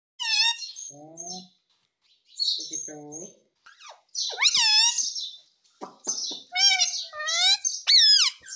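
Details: Pet Indian ringneck parakeet, a talking parrot in India: loud harsh squawks with bright stacked overtones, swooping down then up, broken by a few softer, lower voice-like notes, all in a quiet small room.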